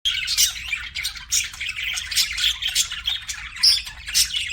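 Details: Pet budgerigars chirping: dense, overlapping squawks and warbled chatter, bright and scratchy, with frequent short sharp bursts and little pause between notes.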